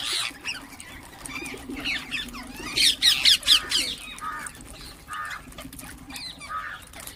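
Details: Ring-necked parakeets calling and chirping: scattered chirps, then a loud burst of four or five harsh, rasping screeches in under a second, followed by short, lower squawks and quieter chatter over a faint hum.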